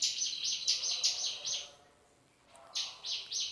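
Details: Male hill prinia giving its 'nembak' shooting call with fills copied from another bird's song: rapid high buzzy chirps in quick bursts, then a short pause, then another burst, over faint background noise.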